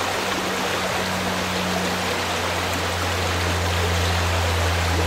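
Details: Loud flowing water from a stream, joined by a low steady mechanical hum.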